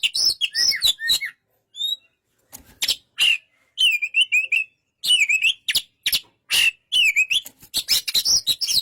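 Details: Oriental magpie-robin singing in bursts of loud whistled, slurred notes and scratchy chatter, broken by short silences, with a few thin high pure tones in between.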